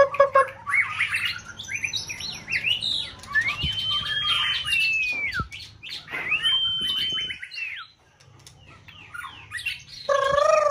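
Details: White-rumped shama in peak singing season, a competition bird whose song is played to provoke a rival; varied phrases with long arched whistles, buzzy chatter and brief pauses.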